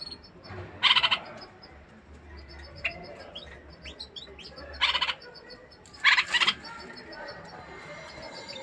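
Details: Courtship song of a caged bulbul aimed at a female before mating: three separate loud, harsh, pulsed chatters spaced a few seconds apart, with faint high tinkling chirps continuing in the background.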